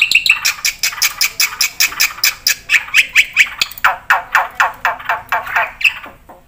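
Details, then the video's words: Black-winged myna song with fill-in phrases: a stream of harsh squawking and chattering notes repeated several times a second, mixed with occasional short whistles. "suara burung jalak putih gacor full isian"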